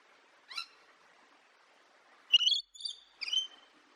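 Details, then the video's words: Pet parrot voicing one brief squeak followed by a loud cluster of three harmonic, slightly rising and falling squawks in quick succession; no other sounds. "Cute parrot making sound"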